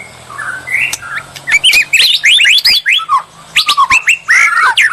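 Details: Provocation bait of white-rumped shama song: soft opening whistles, then bright upward-swept whistled notes delivered in quick clusters, with sharp clicks between phrases and a faint low hum underneath.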